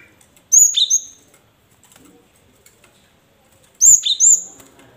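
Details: Cinereous tit song as a lure for caged birds that will not sing: a ringing high whistled phrase with a downslurred second note, repeated after about three seconds of quiet.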